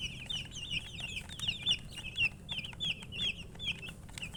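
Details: Young chickens peep loudly, with sharp, high, downward-curving chirps coming in quick uneven bursts and some louder individual notes standing out over faint low hum.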